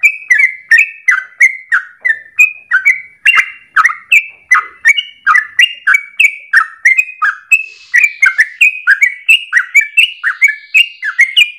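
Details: Yellow-vented bulbul in extended ropel song, used to train other birds: a brisk, unbroken series of liquid chirps and short slurred whistles, pitch stepping up and down, continuing for over eleven seconds.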